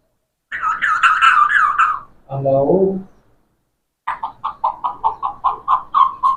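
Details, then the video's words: Talking parrot imitating speech: a strained, speech-like phrase, then a brief lower voice, then a quick run of about eight short repeated syllables resembling 'Allah', in a small indoor room. "Parrots so Amazing talking"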